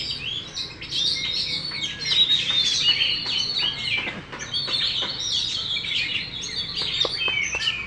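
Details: Caged Oriental magpie-robin, a competition champion spreading its tail fully, delivers choppy chirps, clicks and short whistled phrases in an uneven, lively sequence.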